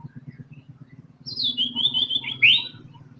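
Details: White-rumped shama (murai batu) in lively 'tembakan' fighting-style song, used to coax other songbirds into singing: a high whistled warbling run of quick notes, ending in a sharp upward-sweeping whistle, over a low steady hum.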